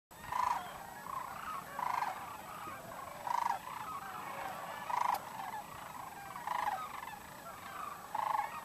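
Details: Cranes recorded in 2012 while observers waited for them to take off: distant, resonant calls repeated every second or so, some clearer than others, over steady wind-like hiss.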